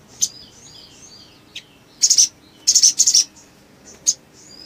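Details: Ruby-cheeked sunbird singing actively to provoke rival sunbirds into song; isolated high chirps and faint thin twitters, then two dense bursts of rapid sharp notes, and a final lone chirp.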